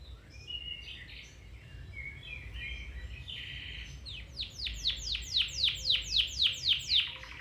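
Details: Domestic canary song for training a canary to sing: varied soft warbling and a short buzzy note, then a swelling run of evenly spaced downward-swept notes, about four per second, ending in a low trill.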